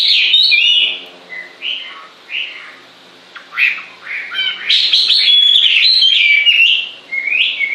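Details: Bird song in separate bursts: a bright opening phrase, several short chirped notes spaced by quiet gaps, then a sustained run of high twittering and whistles.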